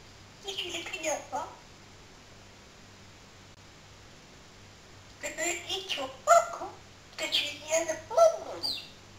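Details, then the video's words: Pet parrot imitating human talk in a small room: one brief spoken burst, a silent gap of several seconds, then a cluster of rapid word-like phrases with rising and falling tones. "BEST TALKING PARROT IN THE WORLD"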